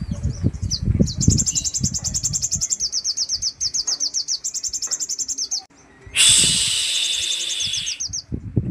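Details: Sogon singing a full repertoire of rough 'tembakan' phrases: long rapid trills of high, clipped notes, then a sudden loud harsh burst followed by more fast chattering notes, over low thumping knocks.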